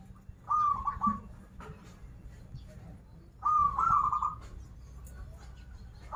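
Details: Zebra dove of local Banten stock giving its song, a bright rolling trill with a quick stuttered start, delivered twice with pauses between, over a low background hum and faint chirps.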